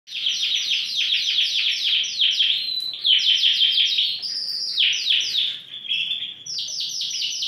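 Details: Yorkshire canary, Romeo colour, one of four caged big-size birds described as actively singing, pouring out fast buzzy trills of rapid repeated notes, broken by a few longer sliding whistles, continuous high song throughout.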